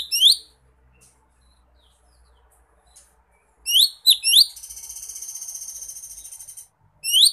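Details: Lesser green leafbird in the wild calling to a rival: loud, clear, upswept whistled notes in short bursts, then a long, even, buzzy trill lasting about two seconds, then more sharp rising whistles.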